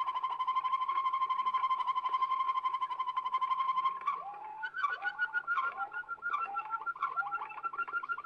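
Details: Waterslager canary on an old record from Belgium, holding a low rolling trill for four seconds, then breaking into chopped, downward-curving bubbling notes repeated rapidly, like water dripping; steady low hum underneath.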